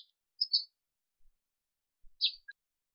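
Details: Sparrow from Africa: two short chirps high in pitch with a gap of over a second between them, then one more chirp followed by a faint brief tick, all in a quiet setting.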